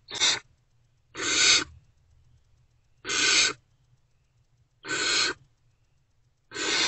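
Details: Great horned owlets, still not fed, in a nest box at about 5:30 am on 3 March 2024 as an adult returns: five raspy, airy screeches of about half a second each, coming every one and a half to two seconds.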